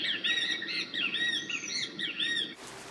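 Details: Great kiskadee perched in a rain shower at Gamboa Rainforest Resort, Panama, on 9 October 2012, giving loud, shrill, repeated 'kis-ka-dee' calls in quick succession for over two seconds, then a soft hiss of rain takes over.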